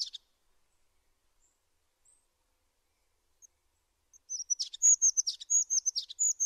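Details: After four near-silent seconds, a tit bursts into a string of high, piping whistles broken by quick downward chirps, repeated several times in lively succession.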